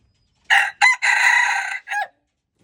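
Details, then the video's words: Red junglefowl recorded February 13, 2025, giving one loud crow in four segments: two short opening notes, a long sustained middle note, then a brief clipped ending. The crow lasts about a second and a half against a silent background. "red jungle fowl"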